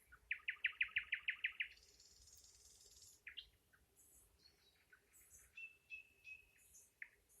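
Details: A nightingale delivers a quick, regular series of about ten pulsing notes, then a soft high buzz, scattered chirps, and a drawn-out thin whistle near the end.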